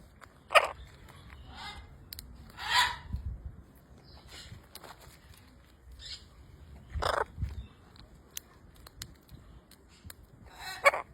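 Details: Green macaw giving harsh, broadband squawks: four loud bursts spread over about eleven seconds, with softer calls in between and a low background rumble.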